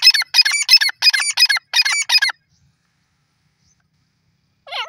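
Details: Grey francolin giving a loud, harsh, grating call of about eight rapid, rhythmic notes in just over two seconds, then silence broken by one last squeaky note.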